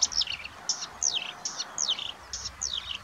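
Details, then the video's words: In Budimír, Slovakia, a marsh warbler sings a fast, high, run-on stream of varied phrases: quick downslurred whistles, short trills and nasal chatter, with a new phrase roughly every half second. "Marsh Warbler singing"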